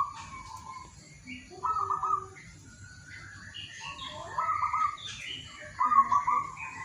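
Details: Local zebra dove, singing in the morning to coax other doves to sing: repeated rapid purring coo bursts, with higher chirps and twitters from other birds overlapping throughout.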